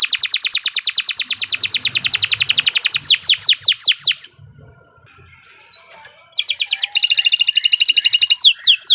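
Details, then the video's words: Canary song, long and continuous, used as training material for young birds: rapid high trills, then loud descending sweeping notes, a pause of near silence, and another fast high trill. "Kicau Burung Kenari II GACOR PANJANG Cocok untuk Masteran"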